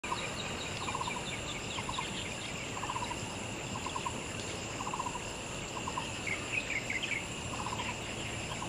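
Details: A common myna, an uncommon introduced bird in Taiwan, recorded 9 May 2011 in Wenshan District, Taipei, gives short, throaty chattering bursts about once a second, with a few higher squeaky notes near the end, over a steady hiss of insects and background noise.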